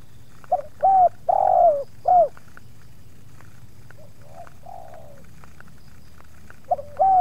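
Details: Spotted dove at Subang luring wild doves, the second wild bird pushing back a little; a loud three-note coo phrase, then a fainter, more distant coo sequence answering midway, and the loud phrase starting again at the end.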